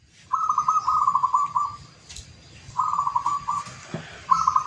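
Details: A prized local zebra dove, kept for its song, sings rapid, rolling trilled coos near one pitch, delivered in three bursts of about one to one and a half seconds each, with faint background noise.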